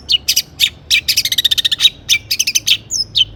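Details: Long-tailed shrike in full song packed with mimicry, played to draw other shrikes into singing: fast bursts of harsh, scratchy chatter and quick ticking notes, ending with a brief high whistled slur.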